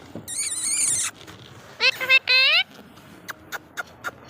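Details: Pet parrot talking: harsh, strongly harmonic speech-like phrases, one long buzzy utterance then two shorter rising ones, followed by scattered short clicks over a background hiss.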